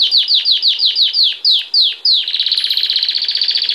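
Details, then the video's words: A Belgian canary sings a quick series of high, down-slurred whistles, about six a second, then breaks into a fast, bright, ringing trill. "Canário belga cantando muito campainha - Canary singing"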